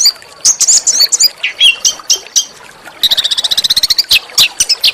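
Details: Small songbird with harsh shooting chirps, used as master song for oriental magpie-robins: squeaky slurred notes, then a rapid even trill of chips, then a few loud high squeaks.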